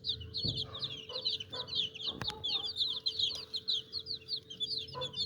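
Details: A crowd of baby chicks peeping continuously, high thin cheeps overlapping in a dense chorus, with a steady low electrical hum and a few soft knocks underneath.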